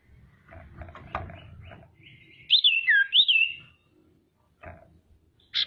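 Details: Calling female common iora (cipoh) meant to stir rival birds into singing and agitation; a short series of bright, wavering whistled notes rising and dipping, set against low rumbling background noise and scattered knocks.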